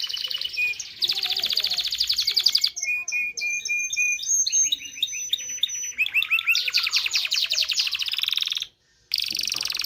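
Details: Varied canary song of fast rolling trills, pure sustained whistles and buzzy rattles shifting in pitch, with one brief silent gap; song played to stimulate canaries to mate.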